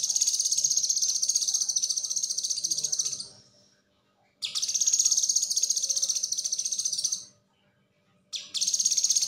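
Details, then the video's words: Streaky-headed white-eye sings a high, rapid, chattering song in fast three-second bursts separated by brief pauses, with nothing else heard. "Cucak Kinoi Konslet"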